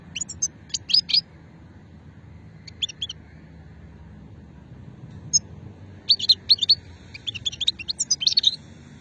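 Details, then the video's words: European goldfinch with an old song line from Hammam Guergour, Sétif, 2020, producing short clusters of high tinkling twitters spaced by silences, building to a denser twittering run near the end. "مقنين شتلة قديمة"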